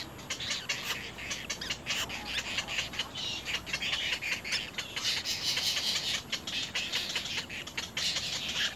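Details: Nestling little egrets pecking hard at their parent at the nest make dense, scratchy squawking bursts that run almost without pause through the whole stretch.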